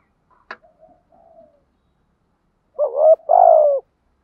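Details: Spotted dove kept as a decoy to lure wild doves, giving a faint click and soft low murmurs, then a loud two-part coo, short rising note followed by a longer falling one; quiet background.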